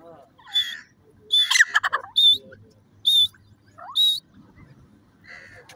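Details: Grey francolin (teetar) calling: loud harsh repeated notes, each a short burst with a sharp whistled upper tone, about one per second, with a faint voice-like sound near the end.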